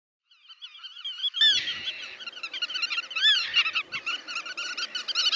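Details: Black-tailed godwits, Dutch meadow birds that breed in the Netherlands, call with strings of nasal, repeated, up-and-down notes, several birds overlapping after a quiet start.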